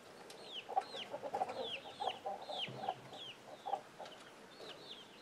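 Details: Chickens with young chicks that scramble at an alert sound: clear downward-sweeping chick peeps, about two per second, sit above soft, choppy low clucking and a little background noise.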